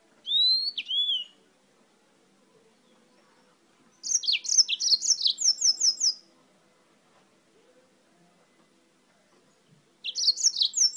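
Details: Singing yellow-fronted canary, a bird brought from Spain: a pair of pure descending whistles, then a two-second run of high, sharp, rapidly repeated chirping notes, a long silence, and a fresh burst of high trilled notes starting up.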